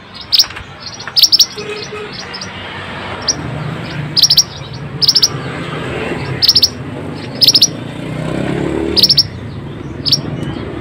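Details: Lively pied bushchat song intended to prompt quiet birds to sing: short clusters of two to four sharp, high chipping notes repeated every second or two at irregular spacing, over a low background murmur.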